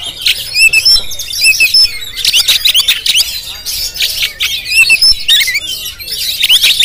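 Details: Jampang-type Oriental magpie-robin recorded with a GoPro, singing in loud bursts of mixed sharp whistles, rattles and scratchy chatter separated by brief gaps, with clear repeated high notes.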